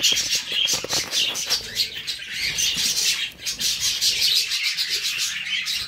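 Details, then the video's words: Group of budgerigars in constant warbling song, overlapping high chirps, clicks and squeaky twitters with short whistled notes, rising and falling in loudness without pause. "budgies song"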